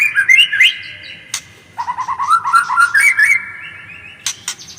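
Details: White-rumped shama singing: a rising run of sweet, fluty whistled notes, then a lower phrase of quick repeated notes climbing upward, with sharp clicking sounds in between.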